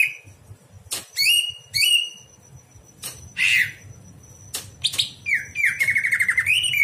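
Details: Greater green leafbird at night, recorded as training song for other birds: separated whistled and buzzy notes, sharp clicks, ending in a fast rippling trilled phrase; low background hum.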